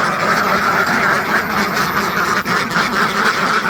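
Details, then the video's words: Several hundred farmed ducks quack in a thick, relentless chorus, the calls merging into one constant noisy mass with a short dip midway. "SUARA BEBEK ASLI WEK WEK | DUCK SOUND EFFECT , DUCK SOUNDS , RATUSAN BEBEK TERNAK"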